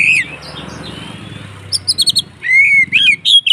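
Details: White-rumped shama fighting song meant to provoke other shamas: after a soft start with low background rumble, a quick series of about five sharp chips, then loud arching whistles.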